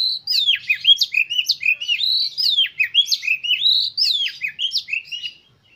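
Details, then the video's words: Oriental magpie-robin song used as a lure to get other magpie-robins singing and opening their tails: a continuous stream of varied whistled phrases, rising and falling slurs, and sharp chirps, about two phrases a second. "KACER KALIAN MAKIN NAPSU UNTUK BERKICAU"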